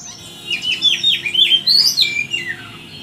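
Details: Loud, varied song of an oriental magpie-robin: a quick series of bright whistled slurs, a rising sweep to a high note around the middle, then a falling whistled trail, heard over a faint low hum.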